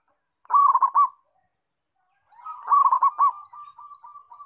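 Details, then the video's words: Local zebra dove (perkutut) in active song gives two soft, low cooing phrases of quick rolling notes, the second trailing off into a long, fading trill. "Perkutut Lokal Gacor"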